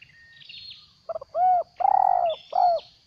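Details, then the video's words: Caged decoy spotted dove, used for trapping and growing its tail, giving its ordinary stuttering "gagap" call: two quick clipped notes, then three full low hooting coos, the middle one longest. Faint higher chirps from other birds in the background. "Suara burung terkukur gagap"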